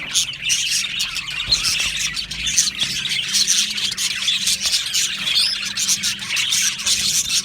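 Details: Australian budgerigar aviary colony during breeding and mating, with a dense layer of high chattering chirps and squeaky notes from many birds, over a faint low hum.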